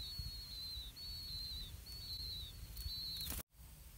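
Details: Four-day-old blue-winged pitta chicks, five young in the nest, beg for food as a parent brings earthworms. Thin high whistles come in a rapid, repeated series over steady low rumble, then a sharp knock and brief drop-out.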